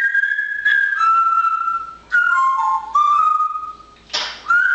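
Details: Pet parrot, busy in the nice weather, whistling loud pure notes that step downward in pitch, repeated in phrases, ending with a brief rough squawk and a final rising whistle.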